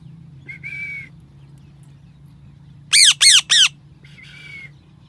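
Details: Pet parrot calling: a whistled, steady note, then three loud, harsh, rasping squawks in a rapid row, and another whistled note at the end, over a low background hum.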